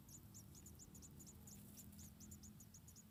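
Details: White-headed tit chicks in an Indonesian nest, about four, begging as the mother feeds them: thin, high chirps repeated in an uneven quick rhythm, with a constant low rumble underneath.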